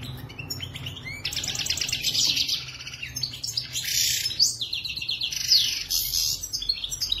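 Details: European goldfinch, locally called maknin, from Morocco, singing a rapid, continuous twittering song of buzzy trills, sharp chips and liquid notes, delivered in dense bursts with short pauses between phrases over a low steady hum.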